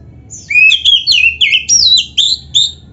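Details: Loud, crisp whistling from a black-breasted Oriental magpie-robin (kacer) in 'gacor' song: rising and falling sweet slurs in quick succession, ending in short, separated upward notes.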